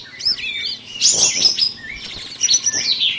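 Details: Sooty-headed bulbuls singing against each other in an April online bird song contest duel: bright, high, rapid whistled and chattering phrases, several overlapping at once.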